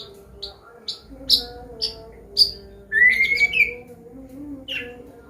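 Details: Teaching song of a Medan-type white-rumped shama, clear 'ngeplong' combination style: a series of short high ticking notes, then a long bright rising whistle and a few more high notes, against a faint steady hum.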